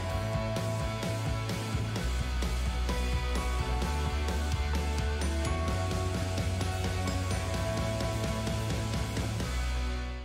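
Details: Steady background music with a strong bass line and rhythmic percussive clicks, with no animal sounds.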